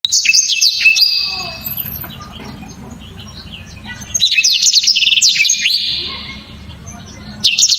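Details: Black-throated canary, a songbird prized by songbird hobbyists for loud, sharp, very clear, dense bursts of song: rapid high trills and sharp chirps in two long phrases, separated by a quieter gap with a low background hum.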